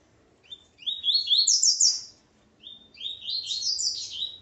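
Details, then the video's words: Male Double-collared Seedeater singing beside his female, two loud phrases of quick, ascending, slurred whistles and chips, each lasting about a second and a half, separated by a brief silence. "Coleiro Ponto 50 e sua Fêmea Calibre 40."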